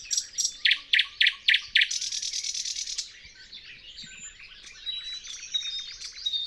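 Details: Thrush nightingale song recorded with a Dodotronic parabolic microphone: six loud, evenly spaced clicking notes, then a dense buzzy rattle, followed by softer twittering and thin whistled notes.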